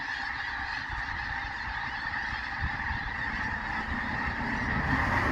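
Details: Several thousand geese in one huge flock: a continuous dense wall of overlapping honks, merging into a steady roar with no single call standing out, plus low rumbling noise.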